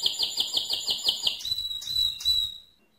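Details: Mosaic canary singing loudly, a pulsed chattering trill of quick repeated units giving way to a long sustained clear whistle that fades out.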